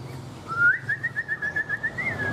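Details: A captive Chinese hwamei utters one sustained, evenly pulsing whistle that rises slightly and wavers rhythmically for nearly two seconds in a quiet room.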